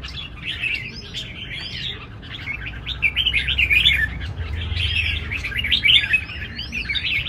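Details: Red-whiskered bulbuls kept as cage birds sing against each other at a major contest arena: busy, overlapping chirps and slurred whistles in a steady stream, with a low rumbling background.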